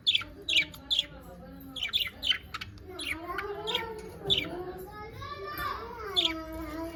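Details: Pet budgerigars, said to be happy, with a quick series of sharp chirps early on, then fewer notes amid softer, tonal warbling sounds in the background.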